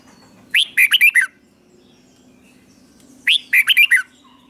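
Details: Red-whiskered bulbul, a caged Thai singing bird, in a repeated 'double' song meant for young birds to copy: two loud bursts of five or six quick rich warbled notes, about three seconds apart, in a quiet setting.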